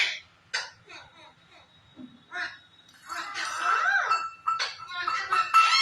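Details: Indian green ringneck, rose-ringed parakeet (Psittacula krameri), chattering indoors in harsh, scratchy bursts with a few squawks that grow louder and busier toward the end; faint steady tone humming underneath.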